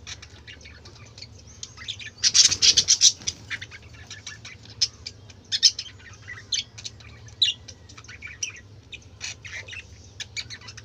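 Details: Budgerigars in a group keep up busy, overlapping chatter, rapid high chirps and warbling squeaks, with a loud burst of harsh calls early on, over a constant low hum.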